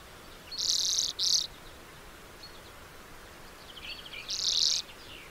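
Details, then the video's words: A lesser redpoll utters a pair of rasping high buzzes close together. A short faint twitter follows, then another longer buzz, over quiet background hiss. "Lesser redpoll 1h bird sound"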